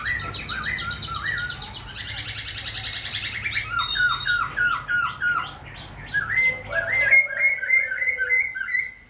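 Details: Tame caged silver-eared laughingthrush singing with wing-and-tail display: rapid buzzy rattling phrases, then a run of repeated downslurred whistles and clear steady whistled notes in quick succession, with a faint low hum.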